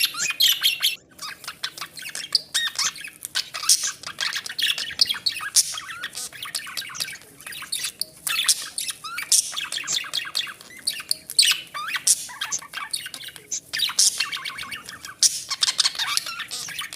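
Budgerigars chatter steadily in a dense stream of high, scratchy chirps and squawks.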